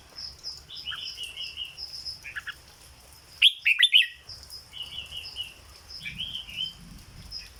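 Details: Red-whiskered bulbul, a caged bird, singing 'dok' style: a loud cluster of rich warbled whistles around the middle, flanked by softer short slurred notes, with a continuous high-pitched hum behind.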